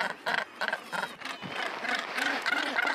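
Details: Northern gannets nesting on the steep coast of Helgoland, giving harsh, grating calls in short bursts about every third of a second, overlapping with other birds of the colony.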